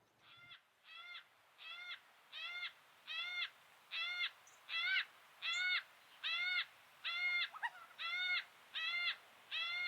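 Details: Yellow-tailed Black Cockatoos (Calyptorhynchus funereus), feeding quietly in a tree and dropping cut branches, give a steady series of drawn-out, wailing, harmonic calls, about one every 0.8 seconds, with a faint click or snap in between.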